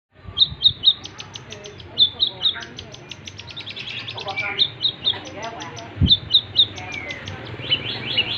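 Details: Long-tailed shrike singing its full mimicked repertoire: quick clusters of three bright high chirps at regular intervals, mixed with rapid ticking notes and trills, over a low background hum.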